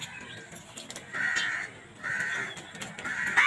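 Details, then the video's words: Crows attacking food and fighting over it; harsh drawn-out caws, each lasting about half a second, come three times, with scattered clicks and knocks in the background. "Crows violent attack on food | Beautiful crow sounds"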